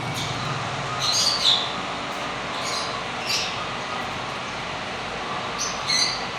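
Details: Blue lovebird in a breeding setup uttering scattered shrill, squeaky chirps, one brief pair early and another near the end, separated by pauses, with constant hissing background noise.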